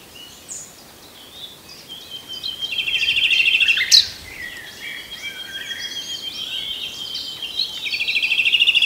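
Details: Common nightingale singing amid other birdsong: buzzy trilled phrases and high whistles, one sharp loud note, then a pulsing rattled trill near the end.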